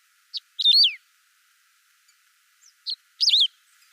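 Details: Saffron finch song, recorded clean with no added sound effects: two bursts, each a short high chip and then a bright whistled phrase that slurs sharply downward, separated by about two seconds of silence.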